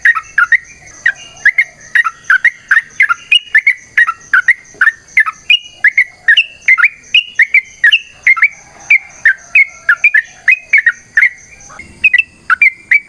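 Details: Sooty-headed bulbul pouring out a long, energetic fighting song used to provoke and train captive bulbuls: an unbroken run of rapid bubbly whistled notes, roughly three each second, some rising and some dipping, over a faint constant high hum.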